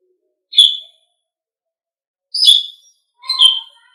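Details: Asian pied starling (jalak suren) song, used as a tutor recording for pet songbirds: three short, high whistled notes, the first alone and the last two close together about a second apart, against clean silence.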